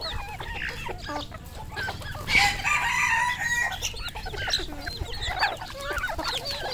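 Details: Red junglefowl on a farm in Cambodia: a rooster's strong harmonic crow holds for about a second and a half midway, surrounded by many high chirping peeps from other birds.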